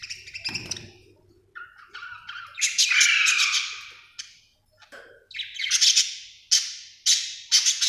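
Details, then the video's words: Happy budgerigar in a lively run of chirps: a buzzy chattering phrase, then a series of sharp, bright squeaky notes repeated roughly every second, with a brief thump early on. "Happy budgie chirping sound"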